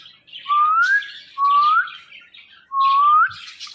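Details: Green pet parrot, described as very talkative, whistling three clear rising notes about every 1.2 seconds, each with a soft scratchy chatter around it.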